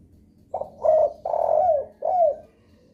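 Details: Spotted dove calling as a lure that other doves answer: a soft double start, a clear coo, a long drawn coo sliding down, then a last falling coo, all low and mellow.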